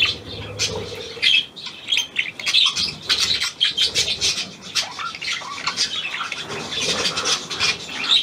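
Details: Hand-tame Australian pied budgerigar, recorded 17 February 2023, giving dense high chattering warble of quick buzzy and squeaky notes with brief pauses, plus a few low rumbles early on.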